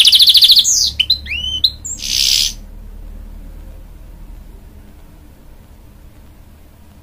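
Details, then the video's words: Singing to encourage chicks, a hybrid goldfinch from a canary and goldfinch cross gives a fast trill, a few looping chirps and a harsh buzzy note, then falls silent for the rest. "A Hybrid Goldfinch Sings To Encourage Young Chicks"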